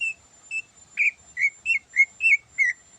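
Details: Greater green leafbird (cucak ijo) singing in the morning with full isian, a song rich in fill-in phrases. Eight clear whistled notes follow each other quickly, some flat and some slurred down, varying slightly in pitch over three seconds.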